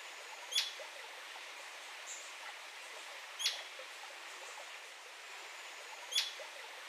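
Royal flycatcher giving a sharp, high, clipped note about every three seconds over a steady background hiss.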